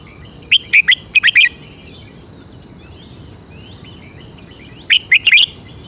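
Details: Caged red-whiskered bulbul showing its distinctive song phrasing: two bursts of three to five quick, bright, liquid chirped notes, the first near the start and the second about four seconds later, with faint thin whistles of other birds behind.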